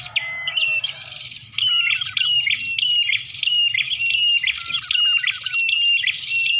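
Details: Bar-winged prinia lure sound for attracting birds. A loud, continuous stream of buzzy, rattling chatter carries repeated short whistled notes that slide downward, in fast, overlapping phrases with little pause.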